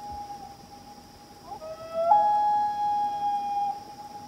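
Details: Night call of a loon, one of a pair answering across a lake in Maine; a drawn-out clear wail steps upward and holds, with a faint steady high hum behind.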